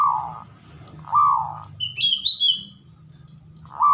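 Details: Male zebra dove cooing in drawn, hollow notes at the start and end, with a brief high twittering chirp from another bird in between.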